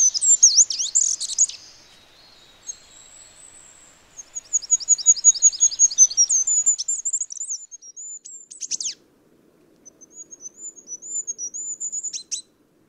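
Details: Wild, free-living Goldcrest (Regulus regulus) sings very high, thin, rapidly repeated notes in rhythmic cycles ending in a quick flourish, with sharp high call notes in between.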